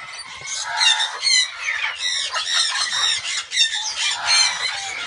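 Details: Incubating Guinea turaco at a breeder; continuous run of loud grating squawks, rhythmic and slightly rising, several notes per second with rough buzzy texture.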